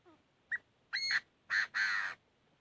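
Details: Chinese francolin fighting song: one crisp short note, then three loud harsh, buzzy bursts. The last burst is the longest, about half a second. The full phrase lasts about two seconds against a quiet background.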